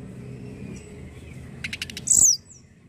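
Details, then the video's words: Juvenile tledekan voice, played to encourage other tledekan to sing. A quick run of five rapid clicking notes leads into one loud, high, down-slurred chirp, over a low rumbling background. "Pancingan bunyi burung Tledekan bahan"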